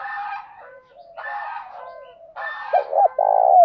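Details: Decoy spotted dove, valued for its good, structured coo, which rouses other doves to coo quickly. Rough, harmonic calls come first, then a closing pair of short low notes and a long trembling coo.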